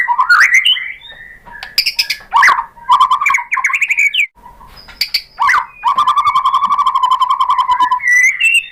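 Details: White-rumped shama song used to spur other shamas to sing: mixed whistles and harsh chattering bursts, ending in a long fast rattling trill over a steady whistled tone.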